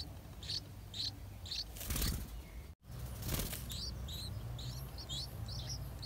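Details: Eight-day-old yellow-vented bulbul chicks in the nest, fed by their parents, give short, high, squeaky chirps in quick clusters, with soft wing flutters and a low background hum.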